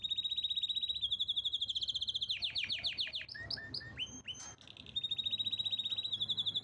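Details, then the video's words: Canary singing powerfully: long rapid trills of high, even pulses, then a run of buzzy descending notes and sharp upswept whistles, before the fast rolling trill resumes and carries to the end. "Canary's most powerful song"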